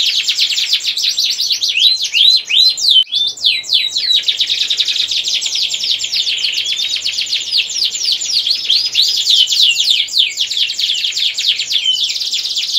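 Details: Domestic canary delivering an unbroken 'gacor ngerek' breeding-stimulation song, a long stream of fast, high, buzzy trills and sliding whistled phrases running almost without pause.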